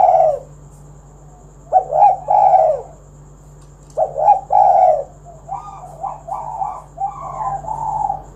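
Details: A vocal spotted dove, recorded as a lure to get other doves singing, delivers two loud throaty coo phrases followed by softer, quicker wavering coos, with a low constant hum beneath.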